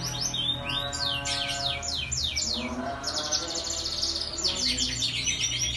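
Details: Lively caged canary song used as a lure to get other canaries singing: rapid downslurred whistles repeated in bursts, shifting into fast buzzy rattles and back, with a constant low hum beneath.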